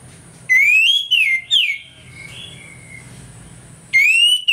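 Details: Orange-headed thrush in loud morning ngeplong song, meant as a lure to make thrushes quickly agitated: a rising whistled phrase, two brief sharp notes, a softer trailing whistle, then another strong rising whistle, with low steady hum behind.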